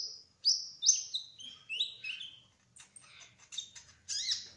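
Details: Brown-throated sunbird, called kolibri ninja trotol, in ngerol rolling song: a descending series of high slurred whistles, followed by faster scratchy twitters and a final buzzy burst.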